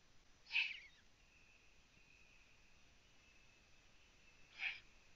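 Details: Night on 9 June 2017 at a Latvian Eurasian eagle-owl nest camera, prey being brought in; two separate short, breathy hissing rasps about four seconds apart over quiet background hum.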